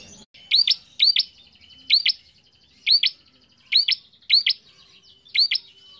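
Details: Loud bar-winged prinia song as a lure for young cage birds, with seven rapid doubled upswept chips in quick succession, linked by a faint high whistle.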